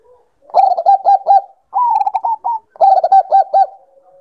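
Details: Zebra dove of the Bangkok strain, calling to stir breeding condition: three bursts of staccato, bubbling coos, each a quick run of rounded notes, the middle phrase pitched slightly higher, with short silent gaps between them.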